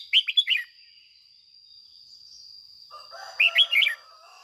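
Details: Caged decoy red-whiskered bulbul in full morning 'ché' song: two short bursts of rapid, bubbling warbled notes separated by a pause, with a steady high-pitched whine throughout and some low rustling in the background.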